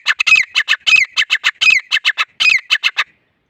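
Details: Grey francolin, a bird of grasslands and scrublands in India and Pakistan, calling in a fast run of loud, harsh, squawking notes, about seventeen in three seconds, some paired, ending abruptly into silence.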